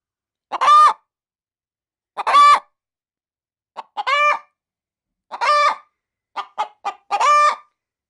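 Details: Hen kept as a pet, about to lay in a chicken-feed bag, cackling and making odd noises as someone nears: short harsh squawks with soft clucks, ending in a fast run of three clucks before a final squawk.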